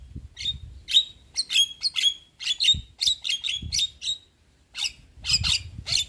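A Javan Myna gives a run of harsh, squawky notes mixed with sharp whistles, uneven bursts about once a second, with faint low thumps beneath.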